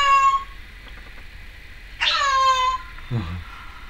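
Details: Pet female Timneh African grey parrot indoors in 2012 producing cat-like meowing sounds: a tonal note at the start, then a louder harmonic-rich meow that drops in pitch, followed by a brief low grunt.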